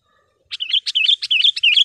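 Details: Sooty-headed bulbul (kutilang) song used for training caged birds and luring wild ones: a quick run of bright, bubbly chirps and short warbled notes starting after half a second of silence, no other sounds.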